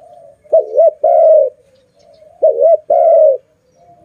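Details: Very loud pet dove calling in two matching phrases about two seconds apart, each a quick wavering double note then a sustained level coo.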